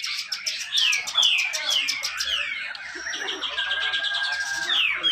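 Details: Grey-cheeked bulbul at a Malinau, North Kalimantan bird contest, singing packed besetan rapet song that serves to coax silent birds: crisp clicking notes leading into loud falling whistles and a steady high tone.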